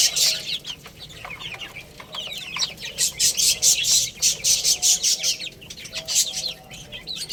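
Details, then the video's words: High downslurred chirps from baby chickens playing and eating, joined midway by a fast series of crisp pecking clicks, about two each second, over continuing peeps. "Cute Little Chicks Chirping Sounds| Baby Chicken Playing and Eating"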